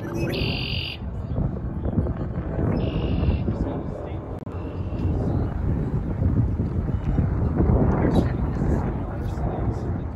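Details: Red-winged Blackbirds singing outdoors on the first day of spring: two buzzy, trilled bursts of about half a second each, a few seconds apart, under heavy low wind rumble.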